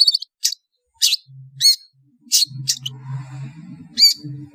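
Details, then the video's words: Lure call of a long-tailed shrike, played to draw birds together: a series of short, rasping, noisy bursts, some with a thin rising whistle inside, at irregular intervals, with low droning background noise between them. "SUARA PANGGILAN CENDET DIJAMIN NGUMPUL"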